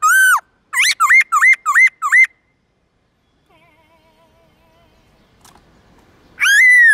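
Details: Forest-voice morning song from a white-cheeked laughingthrush, used to coach young birds: one full whistle, then a rapid run of five hooked notes, a quiet pause with faint tones, and a loud closing whistle.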